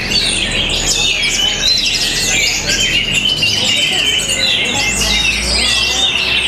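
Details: Orange-headed thrush from Tabanan, Bali, Indonesia, a hobby bird shown singing with strong rhythm, style and great power: a dense, continuous stream of high, fast whistles, chirps and trills with rising and falling slurs, no pauses.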